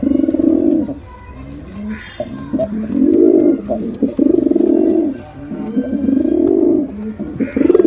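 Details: Male and female pigeons cooing in long, low, swelling phrases that rise and fall, several in a row with brief gaps, over a low background hum.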